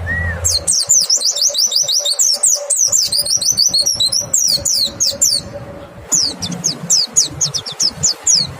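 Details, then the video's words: Clear lure song of a white-eye to get other white-eyes answering: rapid high-pitched chirps and trilled phrases in repeated bursts, with a steady faint hum underneath and a short pause near six seconds. "Pancingan PLECI BIKIN IKUT NEMBAK, suara jernih bikin respon PLECI LAIN BUKA PARUH"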